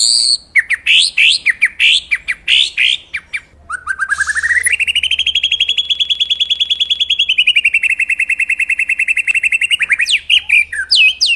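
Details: White-rumped shama song used as master audio for training birds: a run of sharp, varied chirps, then a long, loud series of rapidly repeated whistled notes held at a steady pitch, ending in brief jumbled notes.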